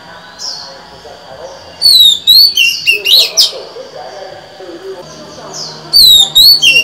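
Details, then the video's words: Female white-rumped shama in a cage, singing to rouse males: varied whistled phrases of falling slurs and sharp notes, a quieter stretch in the middle, then a fresh burst of whistles near the end. "Chòe than mái hót, kích bổi mau căng lửa! Betina kicau kacer !"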